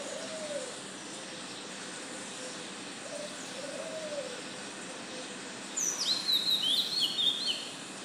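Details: Oriental magpie-robin singing a new song at dawn, 05:02 am on 12 June: a bright, varied whistled phrase of about one and a half seconds near the end, over soft low repeated cooing from another bird and steady background hiss.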